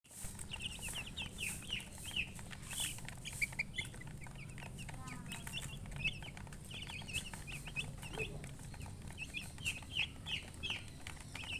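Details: Baby chickens peeping constantly, a dense flock of high, short chirps overlapping in quick succession, with clicks and a low rumbling hum beneath throughout.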